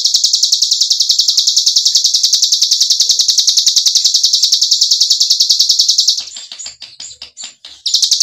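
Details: 'Ngebren' trill of a cigun white-eye, used to get silent birds singing again: a steady, high, buzzy pulsed roll for about six seconds, then a pause with soft chattering notes before the trill resumes.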